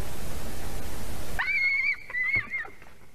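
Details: White-tailed eagle calling as it visits its nest in Durbe, Latvia, at 6:34 am on 2 September 2020: two drawn-out, high, slightly yelping notes about half a second each, after steady windy hiss.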